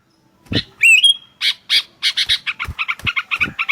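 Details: Sooty-headed bulbul: a single rising, whistled note sliding upward, followed by a quickening run of harsh, rhythmic chattering notes.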